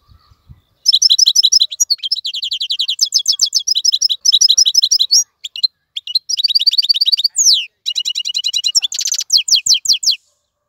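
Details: European goldfinch caught in the wild and held in a cage, delivering a long, unbroken ten-second stream of rapid high twittering with a harsh buzzy rattle near the end.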